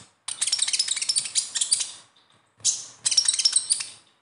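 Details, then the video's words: Dense, chattering twitter of a konin (kolibri ninja sunbird), the besetan style used to prompt untrained captive birds: two bursts of rapid, scratchy high notes separated by a short pause. "SUARA KHAS KONIN AMPUH UNTUK PANCINGAN KONIN BAHAN"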